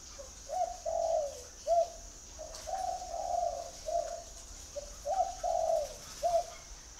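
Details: Spotted dove from a dove-keeping garden in Ba Vì, Hanoi, Vietnam, calling: soft low hooted coos in short phrases of two to three notes, pausing briefly between phrases, with a faint steady high hiss behind.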